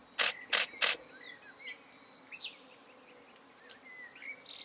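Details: A Eurasian golden oriole at its nest site in Bulgaria, June 2019, gives three harsh, rasping calls in quick succession, then faint thin whistles over a steady high insect hiss.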